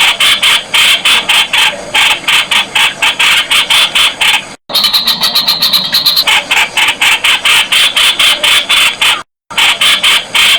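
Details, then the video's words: A Streak-eared Bulbul (Pycnonotus blanfordi) gives harsh, scratchy chip notes about four times a second, with a brief run of sharper, steadier chatter in the middle. "เสียงนกปรอดสวน "นกขอด" Streak-eared Bulbul sound"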